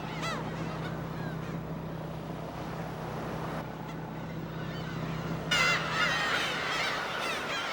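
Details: In May breeding season on Dokdo island, Korea, a colony of thousands of territorial Black-tailed Gulls gives overlapping nasal, cat-like mewing calls, several each second, over a steady low engine hum and surf.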